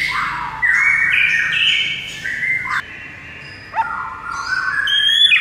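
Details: Murai batu, the white-rumped shama, pouring out dense, rich whistled phrases, then a short quiet gap, a sharp downward note, and a long even whistle with high overtones.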